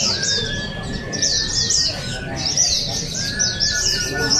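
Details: Singing contest white-eyes, Balingian, Sarawak, 2023: runs of sharp, high, descending chirps in quick series, pausing briefly then resuming, over a long steady whistle and light crowd murmur.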